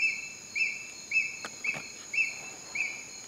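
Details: Juvenile Ornate Hawk-Eagle calling at Heliconias, Upala, Costa Rica: a series of six high, thin whistled notes, each rising briefly then held level, spaced about 0.6 seconds apart, over a steady high insect buzz.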